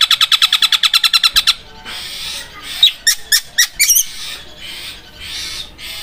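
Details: Long-tailed shrike (cendet), whose 'Armageddon' song is compared to a sharp sewing machine. A quick, even roll of repeated notes opens, then a pause, a few loud sharp notes, and quieter background sound.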